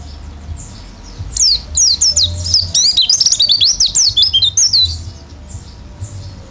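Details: Open-beaked oriental white-eye in gacor isian style. After a quiet start, a three-and-a-half-second flurry of sharp, high descending and looping whistles pours out rapidly, then fades to faint notes with a low hum beneath.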